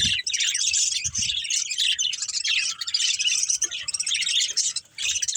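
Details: Budgerigars, a caged breeding pair, chirping continuously: dense, scratchy warbling chatter with rapid twittering notes, nearly unbroken throughout with only brief dips.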